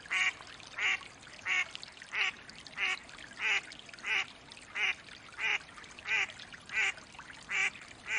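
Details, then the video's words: Wild mallard (Anas platyrhynchos) quacking: a steady series of loud, nasal quacks, about one every two-thirds of a second, each evenly spaced and similar, over a soft background hiss. "Mallard duck quack / call sounds"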